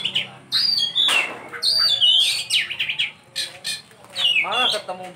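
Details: Oriental magpie-robin singing its luxurious 'isian' song: long whistled notes sliding down, a harsh rasp, then rapid chattering and a fast descending trill.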